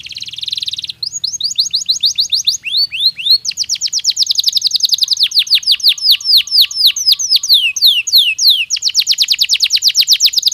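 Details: Canary song used to prepare birds for the breeding season. It opens with a short buzzy burst, then moves through fast rolling trills of repeated high downward-sweeping notes that change tempo between sections, with a faint lower repeated note in the middle.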